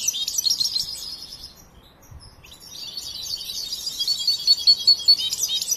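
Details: Young European goldfinch, raised and tutored but still learning its song, delivers a fast, high tinkling twitter that pauses briefly near two seconds, then resumes and ends with a run of clear repeated piping notes.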